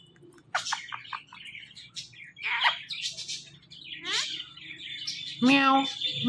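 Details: Pet talking parrot making bursts of scratchy high chirps and a few whistled notes, ending in a loud harmonic squawk with a falling tail.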